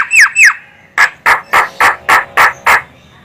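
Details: Javan myna, a female, calling as a lure for trapping birds: two descending squawky notes, then a series of seven harsh, buzzy squawks repeated about every third of a second.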